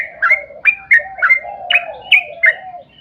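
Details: Yellow-vented bulbul pouring out a quick, continuous song used as a lure for other bulbuls: rapid bright slurred whistles over a smooth, lower sliding warble.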